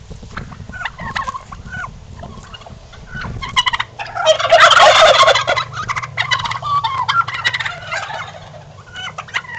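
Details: Domestic turkeys strutting: a loud, rapid, rattling gobble bursts out midway, lasting about two seconds, with scattered short clucks and chirps from the flock before and after.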